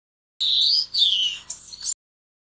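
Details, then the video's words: A Grey-headed Oliveback (White-cheeked Oliveback, Delacourella capistrata) gives a short burst of high, thin notes: two sliding whistles falling in pitch, then a few quick sharp chips. "灰頭綠背織雀/Grey-headed Oliveback"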